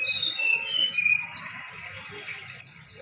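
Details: Competition songbird in a contest pitting srdc against sirtu or cipow birds. A high, chattering, slurred opening is followed by an even series of quick, repeated high trilled notes, several per second.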